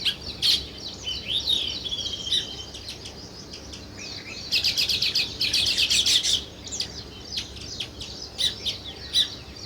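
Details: Chorus of sparrow chirps: sharp, high, irregular chips and short trills with a louder burst of rapid twittering midway, over a soft background hiss.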